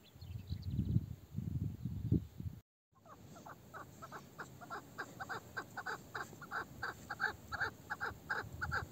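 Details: Old female chukar partridge, known locally as meri, with a male-like voice: low rumbling noise, a brief gap, then a steady series of short, harsh, repeated chuk notes.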